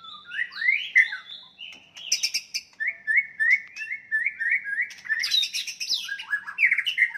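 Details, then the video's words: White-rumped shama fighting song, intended to anger rivals: whistled phrases, then a run of evenly repeated short downslurred notes, ending in a burst of high varied notes. "OTOMATIS NGAMUK murai batu tarung ampuh untuk menaikan emosi"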